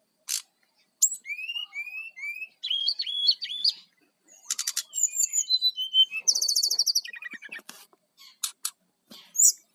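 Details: Brown-chested jungle flycatcher in full song for luring wild birds: clear slurred whistles repeated three times, then varied chirps, buzzy trills and a rapid high rattle, with sharp clicks between phrases.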